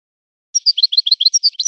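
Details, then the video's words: Short burst of European goldfinch song, sung in the style of a breeder's birds: about a dozen quick, clear, high chirps alternating between higher and lower notes. "طائر من طيور لي تاتغرد على نمط طيور سي حسن الكلوب ولد الغابة"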